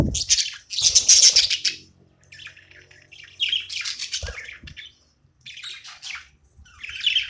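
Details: Pet budgerigar chirping while playing, with loud high squawky chatter and whistled notes at first, then softer broken chirps; a couple of dull knocks sound in between.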